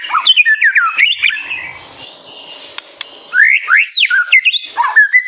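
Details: White-rumped shama master song meant to spur young birds to sing. Fast, varied whistled and slurred phrases open the song, then comes a quiet gap with two clicks, then a burst of rising, sweeping whistles.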